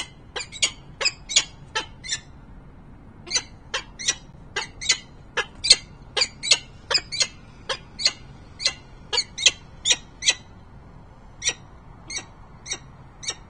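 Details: Peregrine falcon in Harrisburg, Pennsylvania, 28 November 2020, calling persistently: a long run of loud, clipped, harsh chup notes, sometimes doubled, repeated roughly once per second, with a brief gap after two seconds and a quiet low hum behind.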